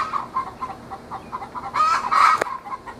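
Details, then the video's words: Twenty-week-old Australorp hens fussing in a backyard, singing the egg song linked to laying though not yet laying: a run of quick, evenly spaced clucks, then two loud, harsh drawn-out squawks near the end. "Australorps singing the "egg song""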